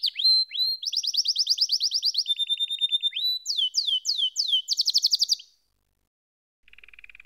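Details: Singing canary delivers rapid rolled trills and a run of loud downward-swept notes, falls silent for about a second, then resumes with a short soft low roll.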